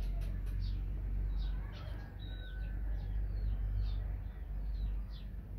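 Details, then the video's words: High, squeaky chirps from a baby hornbill, some slurred downward and one drawn-out whistle, repeated irregularly over constant low-pitched rumbling noise. "CUTE baby hornbill ( talusi )"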